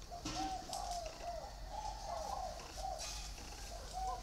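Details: Spotted doves kept in two cages, bamboo and iron, giving a steady series of mellow, hooting coos that swell and dip gently, repeated almost without pause, over a light background hiss.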